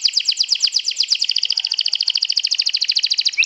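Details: Sobek champion canary in a provoking trill aimed at rivals: one continuous rapid trill of crisp repeated high notes, about three per second at first and speeding up, with a brief upward note at the end.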